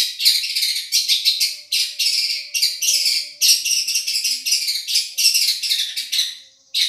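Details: Madura long-tailed shrike with a champion voice, recorded as tutoring material: a long run of fast, pulsing, scratchy high chatter in rhythmic bursts, a brief pause near the end, then one more burst.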